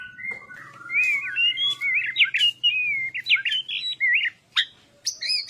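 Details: A white-rumped shama in energetic fighting-style song pours out a fast, unbroken run of rich, slurred whistles and sharp, insistent notes, ending in a few high, piercing phrases.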